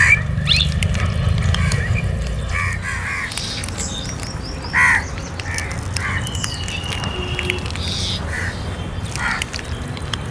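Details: Crow calling while being fed: a loud harsh caw near the middle among several fainter calls, with a constant low background hum.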